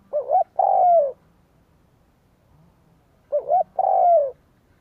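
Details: Cooing of a spotted dove, used to lure wild doves: two identical phrases about three seconds apart, each a short rising two-part coo and then a drawn-out, gently falling low note. Quiet background.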